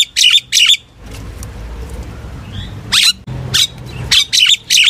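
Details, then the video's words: Common myna singing to call its flock: bursts of harsh, noisy chirps, two paired at the start and clustered again near the end, with a quiet gap of low background hum between them. "tiếng chim sáo nâu hót gọi bầy"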